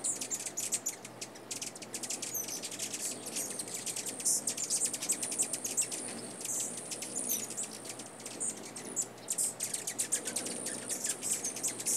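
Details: Rufous hummingbird filmed in North America giving rapid, dry, very high ticking chips in quick runs throughout, over a faint hiss of background noise.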